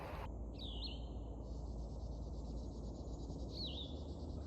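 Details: Yellow-throated Vireo in June in North Central Florida's Alachua County, singing short, burry, slurred repeated phrases about three seconds apart, over a steady high insect drone and low rumbling background noise.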